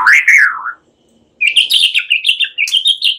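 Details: Chattering white-rumped shama song mimicking cililin and ciblek, for prompting songbirds: a loud falling whistled phrase, a short silence, then a fast, high, trilling twitter running without a break.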